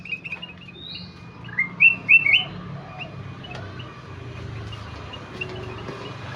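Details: Kutilang emas in full song, with a quick trill of chirps leading into three loud clear whistled phrases that rise and dip, followed by quieter scattered notes.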